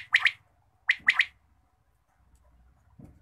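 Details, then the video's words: Morning call of a quail: a quick three-note phrase, one short note then a rapid double, given twice about a second apart, followed by a faint low thud. "batair ki awaz subha"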